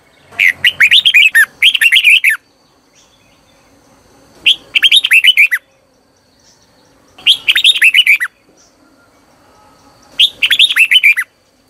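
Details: Caged decoy Red-whiskered bulbul singing to call in wild birds, giving five bursts of fast, tumbling chirped and warbled notes, each burst about a second long, with quiet gaps of one to two seconds.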